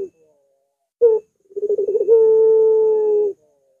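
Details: A Barbary dove delivers one extended curving coo, a recording for training and luring doves: a clipped opening note, a quick throbbing stutter, then a smooth sustained tone held over a second before stopping abruptly.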